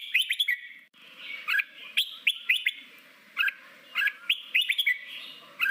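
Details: Wild-voice song of a red-whiskered bulbul, played daily to train caught birds for contest singing; bright chirps and slurred whistled notes in short clusters over a soft background murmur.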